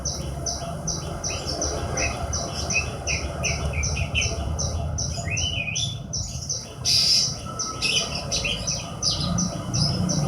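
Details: Hobby-kept Horsfield's bush lark delivering a fast run of short, evenly repeated high chirps, broken by a few rising slurred notes and a brief harsh burst, against a constant low rumble.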